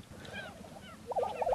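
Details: Displaying male Lesser Prairie-Chickens at a spring dawn mating lek near Milnesand, New Mexico, around sunrise, give quick, hoarse, warbling cackles that grow louder toward the end, with a faint rushing background.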